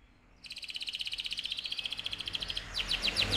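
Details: Canary song for exciting the male and preparing the female for breeding: after a short pause, a fast even trill of bright high notes, about four a second, ending in louder sweeping notes over low background rumble.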